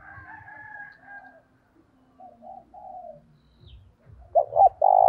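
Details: Decoy spotted dove calling to draw in wild doves. Quiet, distant coos lead up to a loud close phrase near the end, two quick rising notes and then a sustained coo, delivered with an urgent, energetic tone.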